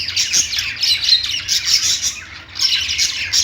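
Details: Lovebird chatter: high, harsh squawks and rapid chirps pour out continuously, dipping for a moment toward the end before resuming loudly.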